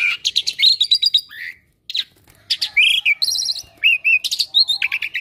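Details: Asian pied starling that never stops calling and picks up other birds' sounds, producing quick chirp series and whistled slurs, a brief pause, then buzzy high trills and looping warbles.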